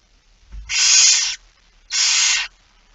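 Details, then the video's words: Barn owl during feeding at 06:57 on 13 September 2019 in the Netherlands: two drawn-out rasping hisses, each over half a second, after a low knock. "Kerkuil It Fryske Gea 2019 09 13 06 57 voedering"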